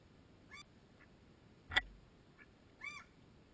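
Mallard giving short, nasal quacks, about five over a few seconds, one louder and harsher than the rest, against a quiet background.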